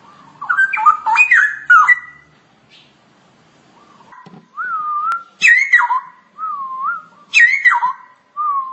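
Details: Straw-headed bulbul (cucak rowo) singing in ngoceh masteran style: rich, loud, bubbling whistled phrases, then a run of short rising-falling whistles repeated about once a second, each ending in a bright upward flourish.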